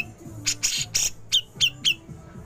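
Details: Grey-cheeked bulbul in besetan style going on to ngepik, intended for training songbirds. Hoarse, noisy rasps, then three short, sharp notes about a quarter second apart, with a low background hum.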